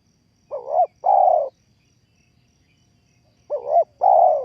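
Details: Spotted dove calling as a lure for trapping: two identical phrases about three seconds apart, each a quick wavering double note and a drawn-out mellow coo, with near silence between them.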